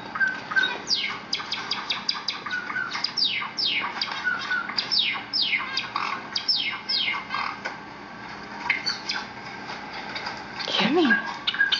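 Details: Young Java sparrows aged seven weeks respond to Java sparrow videos on a computer with a long run of sharp descending chirps and short twittery notes from several birds, quieter near the end.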